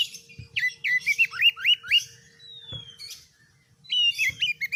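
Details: Oriental magpie-robin singing 'gacor' style for a master recording that tests other birds: a rapid string of about eight rising whistled upslurs, a long thin descending whistle, then stuttering high whistled notes.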